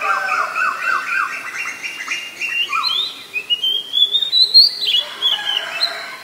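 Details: Oriental magpie-robin in Ubon Ratchathani, Thailand, 7 January 2021, recorded with a Nikon P1000; a varied run of whistles, opening with quick dipping notes and climbing into long, high rising whistles.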